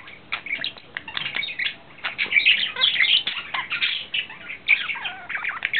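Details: Courting male budgerigar, April 2009: a chattering warble of clicks and harsh chirps, broken by short pauses, with a few sharp squeaky notes and a drawn-out falling whistle near the end.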